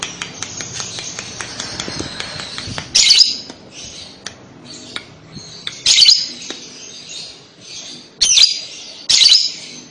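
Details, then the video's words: Lovebird chattering used as a lure to make young lovebirds answer and sing: bursts of high, harsh, scratchy chatter, with louder rasping outbursts near three, six, eight and nine seconds over softer continuous twittering. "pasti lovebird paud akan nyaut dengar kekek an labet ini, cara jitu pancing labet paud bunyi"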